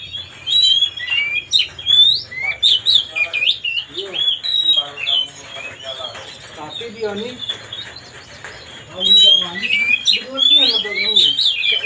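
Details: Song of an Oriental magpie-robin used to provoke a rival: bright whistled phrases and twisting warbles in bursts, with a quieter middle stretch carrying lower rasping sounds before loud whistling resumes.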